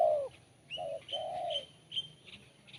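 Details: Spotted dove song with a crisp, sharp voice: the tail of a low falling coo, then a short coo and a long drawn-out falling coo. Faint high chirps from other small birds sound above.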